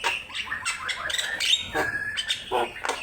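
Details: Short stretch of Javan myna song from a master recording for training birds: chattering scratchy notes, a drawn-out whistle and quick rasping syllables.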